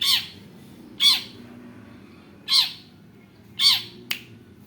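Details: Long-tailed shrike (cendet) uttering four loud, harsh, raspy squawks spaced about one to one and a half seconds apart, followed by a sharp click, over a low steady hum.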